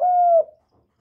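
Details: A single long, even coo from a loud-calling young male spotted dove, a kept bird. It holds one pitch and then fades quickly into silence.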